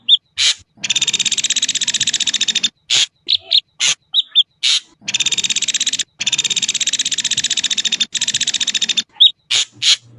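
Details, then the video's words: Ashy drongo song built from repeated long, fast, buzzy pulse trains, each nearly two seconds, separated by harsh bursts and brief whistled notes. "suara jernih burung srigunting abu abu"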